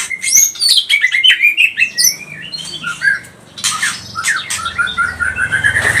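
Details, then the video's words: White-rumped shama (murai batu pastol) singing loudly and agitatedly, used as a lure to provoke other shamas: rapid varied whistles, rising and falling sweeps and sharp chips, with a short pause near four seconds and a low hum behind. "Murai batu pastol cepat bunyi gacor emosi"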